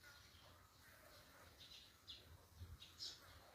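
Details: Wild birds chirping outdoors in Ningthoukhong, Manipur: short, high, thin chirps repeat irregularly, several in quick succession near the end, over a low steady background rumble.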